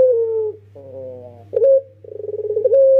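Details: Young Barbary dove (Streptopelia risoria) giving a cooing song, used as a lure: low, mellow coos, a drawn-out note, then a quick rolling burst swelling into a long, steady held coo, over a faint low hum.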